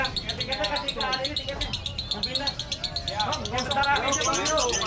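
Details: Lovebirds in a singing duel pour out a long, unbroken stream of shrill, buzzy "konslet" chattering, with quick squeaky notes tumbling over each other several times a second. More than one bird may be singing.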